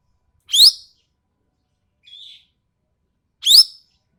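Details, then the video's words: Rasping, rising squeals from an ekek keling of Sumatra, recorded as tutor material for songbirds: two loud harsh notes about three seconds apart with a faint soft whistle between them. "MASTERAN BURUNG EKEK KELING SUMATERA SUARA TAJAM DAN KASAR"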